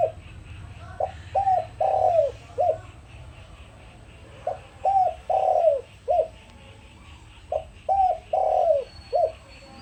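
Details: Spotted dove used as a decoy, cooing to lure other doves: a low, hollow phrase of short coos and one drawn-out, falling note, repeated about every three seconds over a faint background hiss.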